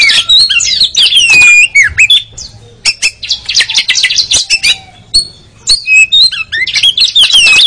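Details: Oriental magpie-robin (kacer) singing for caged-bird training, ngeriwik style: nearly continuous fast twittering of whistles, buzzes and slurred notes with short gaps.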